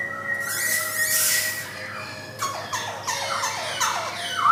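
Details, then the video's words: Male black-throated laughingthrush (Garrulax chinensis, white-cheeked form) singing: a quick run of loud, falling whistled notes about three a second, after a burst of harsh, hissy rasping; faint steady hum underneath. "BEAUTIFUL POKSAY BIRD GARRULAX CHINENSIS SINGING"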